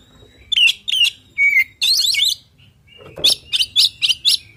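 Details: Oriental magpie-robin song in the full 'isian' style, used to make other birds respond. Paired sharp slurred whistles lead into a long buzzy warbled chatter, followed by a quick series of five high clipped notes.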